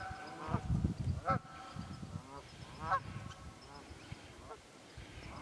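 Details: Geese calling in the wild at Pennsylvania's Quehanna Wild Area on 27 February 2018, several short honks scattered among bursts of low rumbling background noise.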